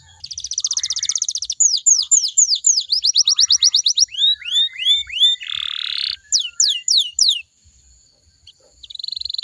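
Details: Canary singing, offered as a lure so other canaries sing back: rapid high rolling trills, then a series of sweeping whistled notes, a harsh buzzy burst, more swept notes, a brief pause and a final trill.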